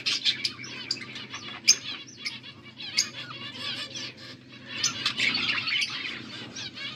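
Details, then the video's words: Budgies chirping as a flock, recorded August 14, 2024: busy overlapping high chatter and warbles in bursts, loudest near the start and again after five seconds, over a faint low hum. "Budgies sounds for lonely birds birds chirping sounds"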